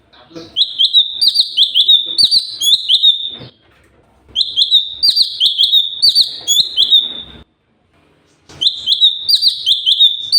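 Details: Sooty-headed bulbul song for training other birds to sing: bursts of five or six bright, slurred whistles, each burst lasting about three seconds and separated by short silences.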